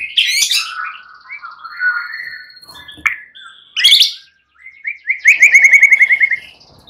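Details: White-rumped shamas of fighter class responding to one another, agitated. Scattered whistles and harsh bursts with gaps lead to a fast, evenly repeated chattering note series near the end.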